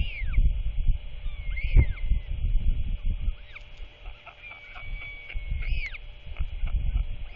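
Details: At the end of the day on 27 March 2024, a royal albatross chick being fed by its father utters scattered arched squeals and a long level whine, partly buried in gusty wind noise.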